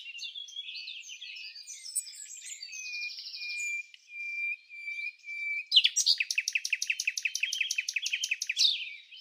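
Ribbon-tailed astrapia: varied high chirps and thin whistles, then a fast run of about twenty sharp repeated notes over three seconds.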